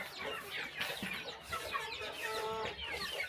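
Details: Chickens during morning feeding on a small rural farm; loud, dense clucking from many birds, with some drawn-out tonal notes near the end among the chatter.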